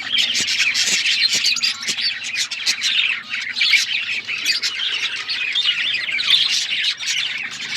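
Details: Several pet budgies chirp and warble together in an unbroken, high, twittering chorus broken by occasional sharp tapping clicks.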